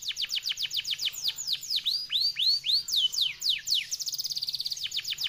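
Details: F1YS canary singing fast and clear: rapid sharp descending notes, slower arched whistles, then a quick high trill and renewed sweeping notes.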